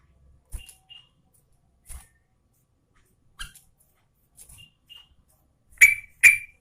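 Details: Sooty-headed bulbul female, Garuda type, calling to a male: scattered soft ticks and brief thin whistles, ending with two loud, harsh chirps in quick succession.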